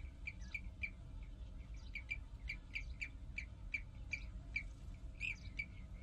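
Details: European bee-eaters at a breeding colony on former vineyard loess slopes at Kahlenberg near Herbolzheim, Germany, give short rolling "prruip" calls, two or three a second, over a steady low rumble of wind or distant traffic.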